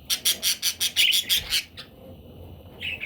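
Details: Parrot chicks making a fast series of eight harsh, high squawks in under two seconds, then a pause and a single rising squeak at the end.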